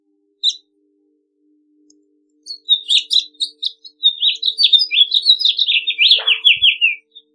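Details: After a lone chirp and a pause, a house finch pours out a long tumbling warble of varied slurred notes, ending in a run of repeated buzzy downstrokes; a faint low thump near the end.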